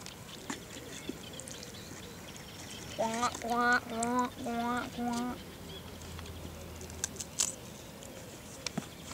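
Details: Mallards being fed on the River Avon at Pershore: a run of five loud nasal quacks over about two seconds, then quieter outdoor background with scattered faint clicks and knocks.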